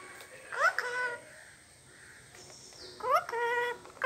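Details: Pet talking parrot from Kerala imitating Malayalam speech: two short bursts of voiced, speech-like syllables with rising harmonic sweeps, separated by a quiet pause and a faint hum.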